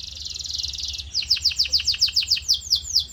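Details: Canary singing as training audio to shape a canary's voice: a dense buzzy trill followed by a series of sharp descending chirps, roughly two per second, with a faint low hum beneath.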